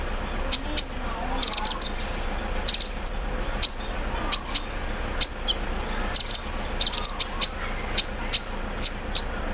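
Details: High-pitched sunbird song given at dawn in the dew, said to include an embroidery-machine imitation: steady sequences of thin, sharp clicks and chips, some in rapid clusters, repeated throughout.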